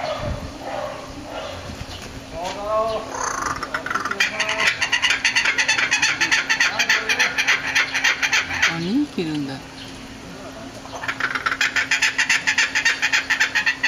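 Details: Laughing kookaburra calling at Higashiyama Zoo, Japan, on 25 May 2011. After a few seconds of human voices, a dense burst of fast, harsh, repeated cackling notes builds and carries on, pausing briefly before resuming loudly.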